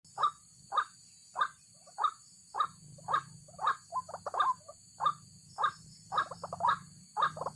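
A white-breasted waterhen gives harsh, croaking notes about twice a second, broken by quick chattering bursts, over a steady high insect drone.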